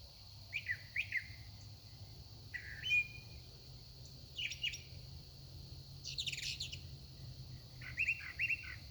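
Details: A very vocal songbird singing at sunset, varied phrases without repeats: short whistled and chirped notes with sliding, rising strokes and a few buzzy bursts, in irregular bursts over a steady high insect-like hiss and low hum.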